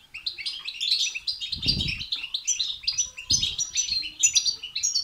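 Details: Excited European goldfinch twittering, the batbata and satsata type, played to make goldfinches sing; steady stream of sharp, chirpy high notes and trills, broken by two low muffled bumps.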